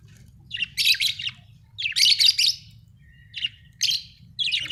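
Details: Budgerigar described as happy, giving rapid scratchy chirps in four or five separate bursts, each lasting about half a second, over a faint low background hum.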